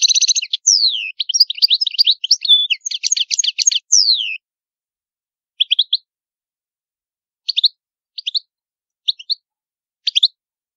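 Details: Goldfinch song of the antique Palermo type from Sicily, recorded clean without background noise. Four seconds of dense twittering, sliding and buzzy notes, then short isolated chirps spaced about a second apart.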